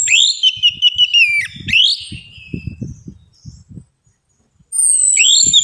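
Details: Orange-headed thrush lure song meant to prompt silent birds to sing. Rich high whistles and rapid sweeping notes open the clip, followed by quieter twittering over low knocking sounds, a pause, then another bright whistled phrase.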